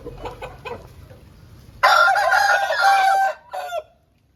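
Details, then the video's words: Aseel rooster after rain giving a loud, rich crow lasting about one and a half seconds, then a short clipped closing note; faint clucking and low rumble before the crow. "Aseel Bird Sound Effect"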